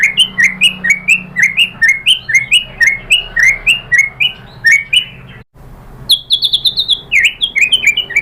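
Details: White-rumped shama singing short, sharply rising whistled notes repeated about three times a second, a brief gap, then higher chattering phrases, over a low steady hum.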